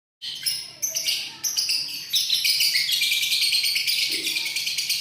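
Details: Lovebird giving its long chattering "ngekek" song, recorded 31 January 2019: dense, rapid high-pitched chatter starting after a brief silence and building into a continuous unbroken stream.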